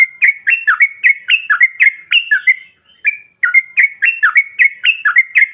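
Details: Yellow-vented bulbul, bahan or ombyokan style call to provoke other birds: steady stream of bubbly whistled notes with dipping sweeps, broken by one short pause.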